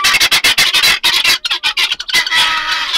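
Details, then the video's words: Helmeted guineafowl chatter noisily in harsh, rasping bursts, several per second, with a denser grating stretch toward the end. "guineafowls being noisy"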